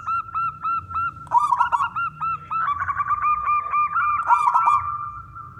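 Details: Male zebra dove (local perkutut) song used to lure and prompt other doves to sing: bright, rapid cooing notes, repeated several times a second and overlapping, as though more than one bird is calling.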